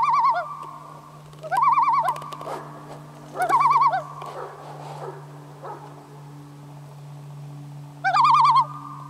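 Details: A lone common loon on a lake near Kamloops, British Columbia, at the end of summer 2013, heard from a canoe: four bursts of quavering, laughing tremolo calls a second or so long, widely spaced, over a steady low hum.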